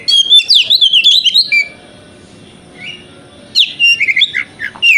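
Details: Morning lure song of an Oriental magpie-robin (kacer), 'wikplong' type, meant to make the bird open its tail. A burst of bright, twisting whistles, a near-silent gap of about two seconds, then another lively run of slurred notes.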